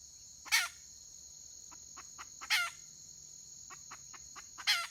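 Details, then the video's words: Red junglefowl hen, wild, dated 31 May 2023, repeating a harsh raspy call every two seconds, three times, with brief clucking notes in between and a steady insect whine. "Suab poj qaib qus tsauj"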